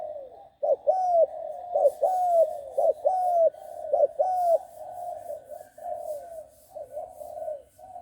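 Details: Six-month-old trained spotted dove of the Bang Kaeo Tai style cooing in a lively run of short hollow phrases with sliding tails, about one per second, fading into softer murmured coos.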